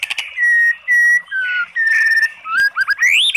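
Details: White-rumped shama song used as a lure to rouse a sluggish bird into singing: long pure whistled notes held steady, one dropping lower, then quick rising upslurred whistles at the end.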